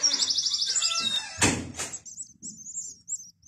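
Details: Young European goldfinches from a breeder's group give a rapid buzzy trill, a thump and a rattle, then a run of high, thin, repeated chirps.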